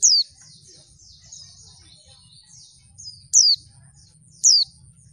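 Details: A female Oriental white-eye, used to provoke males into calling, gives three loud, thin, high notes that slide downward, spaced one to three seconds apart, over soft, faint high twittering.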